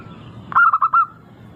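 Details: Local zebra dove with a clear, melodious voice, used as a lure to prompt other birds to sing. A single short cooing phrase of quick pulsed notes followed by a rolling, slightly wavering coo.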